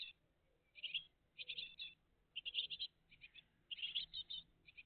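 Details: A great tit family calls at the nest in the early morning, 20 June 2023. Clustered high twittering chirps come in quick groups, with faint lower squeaks beneath.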